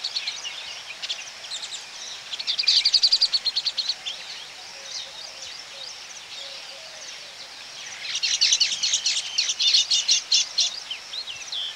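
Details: Baya weavers calling close up at their colony: dense, high chattering bursts around two to four seconds and again from eight to eleven seconds, with quieter twittering between them.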